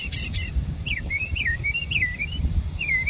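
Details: Savannah bird song: a continuous string of wavering, up-and-down whistles, bright and fluid, set against a low rumble of distant vehicles.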